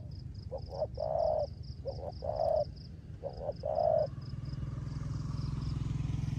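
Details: Decoy spotted dove kept by its owner, cooing 'rước gù' style in the rain: three phrases of short double notes and long low coos in quick succession, then a motor vehicle engine rumbles in and masks the end.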